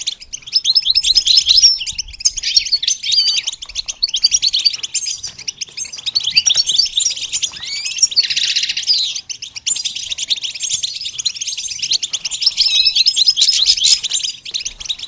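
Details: Goldfinch in song training, pouring out a long, continuous stream of liquid twitters, chirps and buzzy rattles, varied and unbroken, with one brief downward slurred note near the middle.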